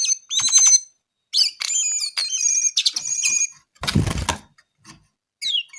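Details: Brown-eared bulbul singing vigorously: rapid varied whistled and chirped phrases with sharp up-and-down sweeps in bursts, broken by a brief loud rustling noise midway.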